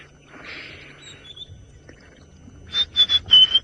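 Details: White-browed scrub robin (Cercotrichas leucophrys) calling at night as lions pass, Djuma Game Reserve, Sabi Sand, South Africa, May 2018: high, thin whistles, then a quick run of four sharp whistled notes about a quarter-second apart, over faint outdoor hiss.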